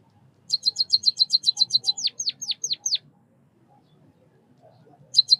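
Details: White-headed munia chirping: a fast run of about a dozen high, evenly spaced ticking notes, then five downward-sweeping whistled notes, a pause, and a new burst of ticks starting at the end.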